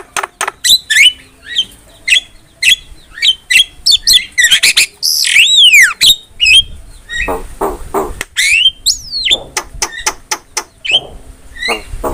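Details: Javan myna (jalak kebo), a kept songbird, in a lively varied song of sharp chattering notes, harsh squawks and long whistled sweeps falling then rising, with rapid clicking bursts near the end.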